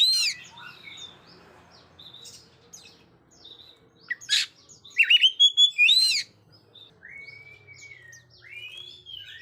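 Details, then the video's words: An Oriental magpie-robin sings, used for training young birds that are still silent: scattered sharp chirps and slurred whistles, one loud burst of rapid notes near the middle, and otherwise quieter, sparse phrases. "KACER GACOR NGOBRA KHUSUS BUAT TES KACER YANG MASIH BISU"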